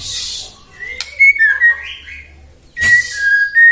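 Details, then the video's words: White-rumped shama song used as a lure to provoke other shamas into singing: clear whistled notes near the middle range, some sliding and held, in two bursts separated by a short pause, with a faint low hum beneath. "murai batu gacor AMPUH buat PANCINGAN murai batu agar bunyi"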